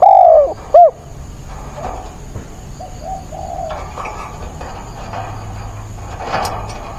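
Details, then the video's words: Decoy spotted dove cooing vigorously during a rainstorm on 28 October to provoke wild doves: two loud, low, hollow coos in the first second, then steady rain hiss with faint distant murmurs. "mưa bão cu mồi gáy càng sung, bổi già kích bổi lỡ"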